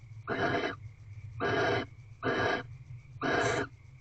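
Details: Barn owls mating in their corral owl box at 5:23 am: four drawn-out breathy hisses, each about half a second, with pauses between them.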